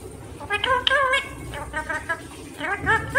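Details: Talking pet parrot, said to say mummy and papa: a run of short, nasal, speech-like syllables with bending pitch, some rising and falling, in quick succession over a faint low hum.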